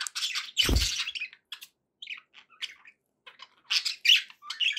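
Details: Pet budgerigars making happy sounds indoors: bursts of scratchy chirps and squawky chatter between short pauses, with one low thump near the start.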